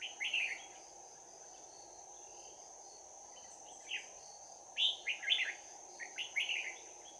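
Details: Red-whiskered bulbul with a bell-like voice fighting at close quarters at a trap, Đồng Nai, 11 January 2019; several short bursts of loud, clipped warbling phrases scattered across the stretch, with a steady high-pitched hum beneath.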